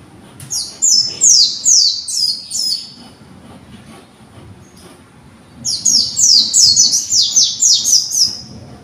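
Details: Young conservation-bred white-eye practising and arranging its song: two bursts of rapid, high, downslurred whistled notes, each burst about five notes, separated by a quiet pause of roughly three seconds.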